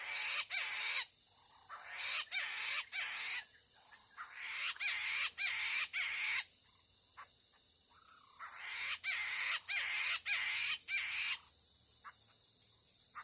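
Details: Near a trap set to lure wild birds, a Chinese hwamei utters series of coarse, grating bursts in clusters of three or four, separated by brief quiet gaps with sharp clipped notes, over about thirteen seconds.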